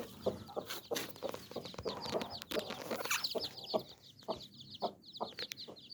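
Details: Nine chicks peep shrilly and continuously as their mother hen gives soft, evenly spaced clucks about three times a second, with some brief rustling bursts.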